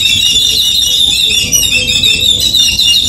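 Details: Yellow-billed babblers in Sri Lanka in a harsh, squeaky chatter, many high notes overlapping without pause, as several birds call at once.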